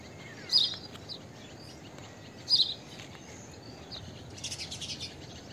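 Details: Blue-tailed bee-eater giving two sharp, high chirped calls about two seconds apart, with a fainter buzzy burst near the end and constant background hiss.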